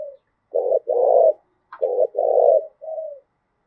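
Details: Spotted dove in Vietnam's Đồng Nai, 'thúc gù' coo for provoking decoy birds: two coo pairs, each a brief note followed by a longer rough rolling note, ending on a soft falling coo.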